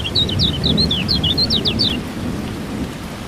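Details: Lemon-bellied white-eye (kecial kuning) singing over rain and thunder, played as rain therapy to get silent birds singing: a rapid run of high, sharp twittering notes for two seconds, steady rain and low rumbling beneath.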